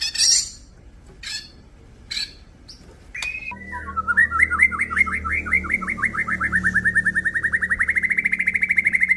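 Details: Male white-rumped shama, an F series crossbreed: a few scattered sharp calls give way to a long, steady rattling trill that climbs gently and keeps going, with low background hum.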